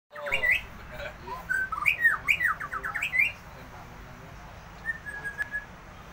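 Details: Caged white-rumped shama set out in the sun to sing more vigorously. A lively run of varied clear whistles and quick rising and falling phrases for about three seconds, then a quieter pause broken by a few soft whistled notes.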